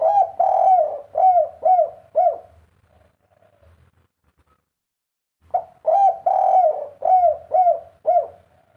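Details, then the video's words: Spotted dove in the three-note 'kuk 3' full fighter coo style, used to set other birds calling quickly: low mellow cooing phrases of rapidly repeated hollow notes, one burst, a pause of about three seconds, then a second burst. "suara derkuku kuk 3 full figter bikin burung macet bunyi cepat gacor"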